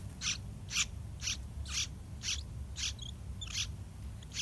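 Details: Two full-grown yellow-vented bulbul chicks, nearly ready to fledge, beg in the nest with harsh, hissing rasps, about two each second, as parents feed them wild fruit and large dragonflies, over a low background rumble.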